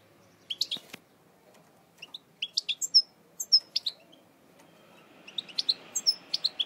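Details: European goldfinch from eastern Algeria, a kept bird noted for pure lineage and strong song: scattered bright twittering notes and quick chirps in short bursts separated by pauses, with a soft background hiss toward the end.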